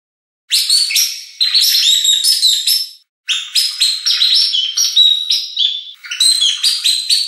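A garden warbler sings long, rapid, mellow warbling phrases, rich and varied, running two to three seconds each with brief pauses between.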